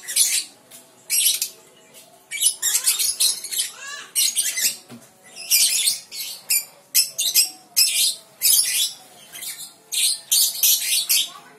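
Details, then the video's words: Young lovebird (balibu) producing clusters of shrill, rasping chatter notes in irregular bursts with silent gaps, some faint lower squeaky notes between. "TERAPI SUARA LOVE BIRD BALIBU GACOR NGEKEK PANJANG"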